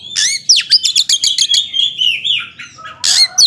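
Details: Oriental magpie-robin in full song, a caged bird kept to provoke other males, giving fast varied whistles, sweeping notes and rapid clicking bursts, with a long sliding whistled phrase near the end.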